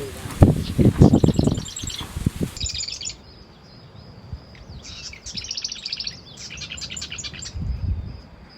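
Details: Marsh Wren, heard but not seen, in tidal marsh on Fripp Island on the South Carolina coast in spring, giving fast, buzzy, rattling bursts of high notes, several in a row; low rumbling and people's voices open the recording.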